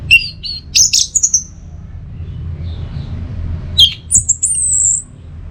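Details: Short, squeaky, high whistled notes and thin slurs from an orange-headed thrush, recorded to tutor and provoke caged songbirds, come in two scattered groups with a quiet gap between, over a low background rumble.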